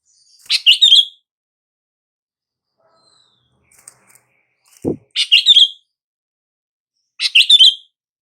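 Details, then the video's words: Sooty-headed bulbul call to prompt silent bulbuls to answer: three bubbly chirping phrases about every two to three seconds, with a single low thump between them. "SUARA PANGGILAN BURUNG KUTILANG"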